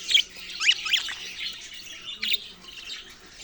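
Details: Budgerigars chirping: sharp squawky chirps and short rising notes in bursts near the start, then a brief busy warble around two seconds in, over a faint low hum.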